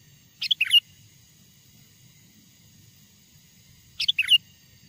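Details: Wild sooty-headed bulbul song used for luring wild bulbuls: two cheerful phrases of rapid, liquid whistles, roughly three and a half seconds apart, with quiet between.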